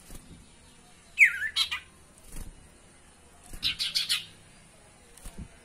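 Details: Lure recording of a spotted owlet meant to make kept birds sing: a harsh descending screech with rough notes, a pause, then a burst of four scratchy chattering notes, with faint clicks between.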